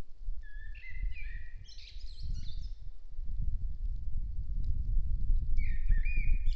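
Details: On 2 April 2015, with red deer nearby, a Common Blackbird sings mellow, fluted phrases ending in higher twittering notes over a steady low rumble.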